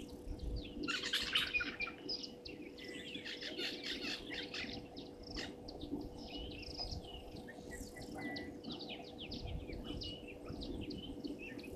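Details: European bee-eaters at Gowrie dam waterhole, Djuma Game Reserve, Sabi Sand, South Africa, at 17:00 on 15 January 2023, trade rolling, liquid 'prruip' calls in a dense overlapping chatter, several per second, over a steady low hum.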